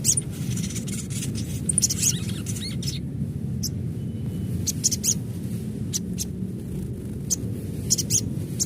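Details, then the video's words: An adult crimson sunbird, recorded naturally, chatters in clusters of thin, high ticking chirps, a brief pause midway, then more rapid twittering, all above a low continuous rumble. "Panggilan SOGON Dewasa Asli"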